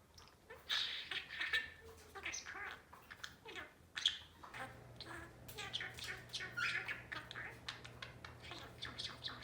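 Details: Pet albino budgerigar, a roughly four-year-old male known for talking and picking up untaught words, giving soft warbling chatter mixed with sharp squawks and chirps, irregular and busy over several seconds, with a faint electrical hum indoors.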